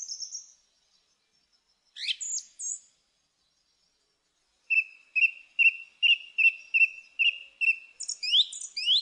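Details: A song thrush sings, opening with high thin squeaks before a crisp note is hammered out about eight times in a steady run, ending in fast high twitters.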